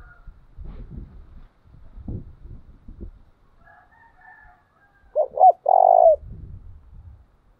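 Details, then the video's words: Decoy spotted dove 'chìm' coo used to train doves: after low thumping and knocking noises, two clipped notes and a long level coo ring out, then more low thuds, with a faint higher call in the background. "tiếng chìm cu gáy mồi thúc bổi, luyện cu gáy mỗi ngày"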